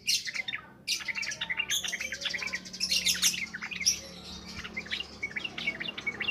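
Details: Dense, busy ngropel ngalas singing from a yellow-vented bulbul, played as a lure for training birds: rapid overlapping chirps and harsh chattering notes fill the whole stretch, with no pauses.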